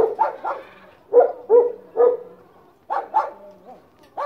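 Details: Hen giving loud, harsh, harmonic squawks in pairs and short runs of two or three, separated by pauses of about a second, in an otherwise quiet setting.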